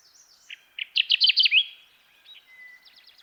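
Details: Kirtland's warbler singing: a loud burst of sharp chipping notes that quicken into a rapid emphatic run and end in a bright slurred phrase, followed by faint high trills from another bird.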